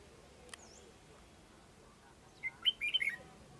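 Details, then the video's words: Red-whiskered bulbul, one of a caged male and female pair being trained as decoy birds; a quick burst of bright, chirpy notes and short rising-falling phrases lasting about a second, over a quiet background. "Thử Tập Cho Đôi Chào Mào Trống Mái Làm Chim Mồi"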